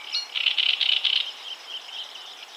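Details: A great reed warbler recorded at 52.057652, 20.195733 gives a short burst of harsh, chattering notes, about eight quick scratchy phrases in a second, then trails off into quieter grating sounds.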